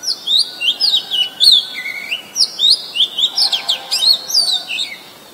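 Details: Oriental magpie-robin, a very common resident, recorded on 23 December 2019 in Ubon Ratchathani, Thailand, with a Nikon P1000: a lively run of clear whistled notes and slurred, rising and falling phrases, sweet and varied, sung almost continuously with short gaps.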